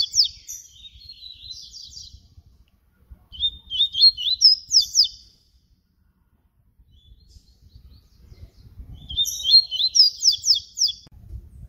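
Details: Papa-capim baiano seedeater singing in the flute style, a high clear phrase of quick slurred and warbled notes, repeated after a pause of several seconds, with faint low rumbling beneath.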